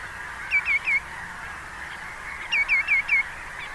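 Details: Common greenshank calls ring out in two quick runs of bright, downslurred tew notes, three then four, with a soft murmur of other birds behind.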